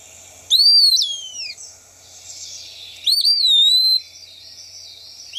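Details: Eastern Wood-Pewee, a flycatcher also found on forest edges and singing from exposed perches, gives two wistful, slurred whistled phrases about two and a half seconds apart, high and clear like a drawn-out 'pee-a-wee', over a faint hiss.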